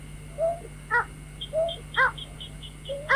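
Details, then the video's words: Lure recording of a white-breasted waterhen for night bird trapping: a few ringing, harmonic notes spaced about half a second apart, followed by a thin series of higher piping notes over a constant hum. "tiếng chim vẽ Dung cuốc rồi khao cho anh em bẫy chim đêm"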